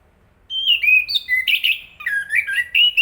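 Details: Chestnut-capped thrush singing a continuous warbling phrase of clear whistles, with some notes slurring upward and a few quick buzzy syllables in the middle.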